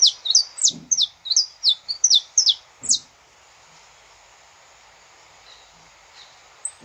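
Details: Saffron finch singing, recorded live in nature, a song meant to warm up other saffron finches: a quick run of about eleven high, sharp chirped notes over three seconds, then near silence with faint background hiss.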